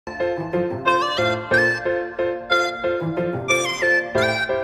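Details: Woodwind-like melody of held, harmonic-rich notes that step between pitches in a regular rhythm, with no animal voice audible.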